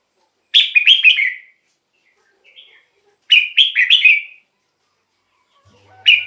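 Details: Red-whiskered bulbul song meant to lure wild birds or excite caged ones: two loud warbled phrases of several quick descending notes, separated by a few seconds of near silence, and a final phrase starting at the end.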